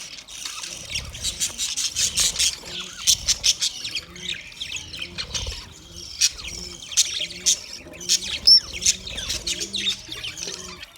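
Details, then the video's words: Budgerigar singing, rapid series of high, scratchy chirps and squawks, about two or three per second, irregular in spacing, with occasional clearer whistled notes. "Budgie sound Parrot singing Birds chirping sound"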